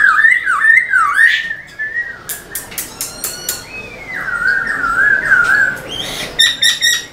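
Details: Black-throated laughingthrush in a cage, song played to stimulate other caged birds: wavering whistled phrases, a burst of sharp clicks or taps, then a long warbling whistle and rapid chattering notes.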